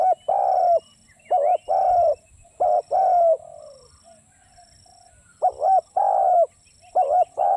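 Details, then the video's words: Spotted dove calling steadily: repeated low, hollow phrases of a brief double coo and a longer falling note, with a short lull midway before the pattern resumes. "เสียงนกเขาใหญ่ นกเขาใหญ่"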